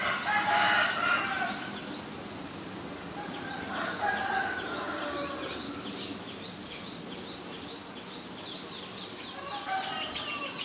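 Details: Black-collared starling recorded in Ubon Ratchathani, Thailand, on 17 April 2022: a loud, harsh, rasping outburst opens, followed by a run of shorter squeaky and chattering notes, with steady background hiss and distant chirps.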